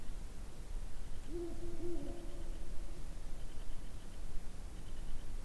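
A Ural owl gives a brief run of deep, hollow hoots lasting about a second. Faint high tones sound in the background over a steady low rumble.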